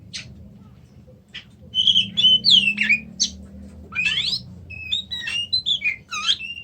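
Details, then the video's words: Oriental magpie-robin song opening with scattered chips, then a lively stream of clear whistles and sharp slurred notes, several rising or falling steeply, repeated at a quick uneven pace over a low hum. "kacer macet"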